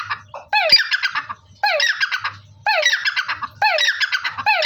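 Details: Black francolin giving a repeated call series: four harsh, rattling bursts of stacked buzzy notes, each starting with a downward-sliding note, spaced roughly a second apart. Quiet low rumble underneath.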